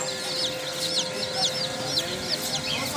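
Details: Domestic chicken chicks chirping, a crowd of high, thin, downward-slurred peeps overlapping in a continuous chatter over a steady low electrical hum.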